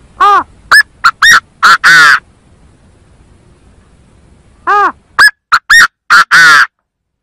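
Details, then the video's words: Chinese francolin calling as a lure, two matching phrases a few seconds apart, each of about six loud harsh notes, arched first note and a drawn-out rasping final note, with silence between. "Tiếng chim Gà Gô kêu chuẩn 100%"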